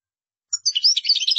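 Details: Brief snatch of European goldfinch song from a caged bird: a high thin note, then a rush of bright twittering chirps cut off abruptly.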